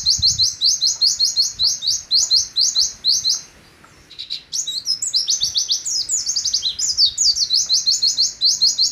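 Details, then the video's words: Oriental white-eye, kept as a caged songbird, singing the long 'nembak' style: rapid bursts of high, sharp descending notes strung in fast series, a brief pause near the middle, then denser tangled phrases resuming. "Pleci Nembak Sejalur "LANGSAM""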